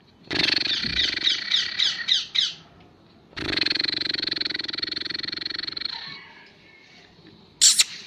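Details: An angry black francolin, Pakistani Kohati black partridge: a loud harsh run of rapid grating notes, then a long buzzy rasping squawk lasting nearly three seconds, followed by a brief sharp click near the end.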